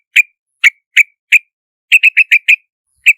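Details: Four well-spaced sharp calls, then a quick burst of six chatter notes and one more lone note from a yellow-vented bulbul, with nothing else audible.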